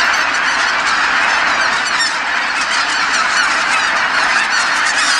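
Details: At nightfall over Kabukuri-numa marsh, huge flocks of geese fly back from feeding grounds, all calling at once; countless nasal honks overlap into a steady roar, with sharper clipped notes standing out throughout.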